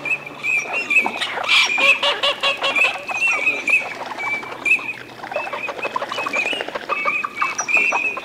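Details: A group of Eurasian teal in courtship display at Aiguamolls de l'Empordà wetland, Spain, 25 December 2015: many overlapping short high whistles mixed with dense rattling, chattering calls from the flock.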